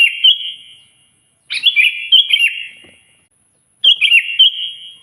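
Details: Sooty-headed bulbul calling a rival with loud song: chattering, bubbly whistled phrases of several rapid notes, each trailing into reverberation, three bursts separated by short silences.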